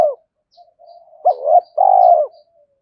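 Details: Decoy spotted dove during daily training, calling to goad wild males into fighting: soft low murmuring, a hooted note, then a long rolling purred coo; faint high chirps from another bird behind.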